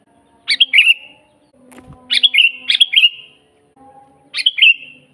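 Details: Sooty-headed bulbul singing vigorously, a natural recording for training rarely singing bulbuls and luring wild ones: three short bubbly phrases, each with a sharp onset dropping into a warbled whistle, about every two seconds; faint low hum beneath.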